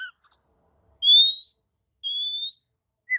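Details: An Oriental magpie-robin answers another magpie-robin's song with long, pure, slightly rising whistles spaced about a second apart, plus short higher notes.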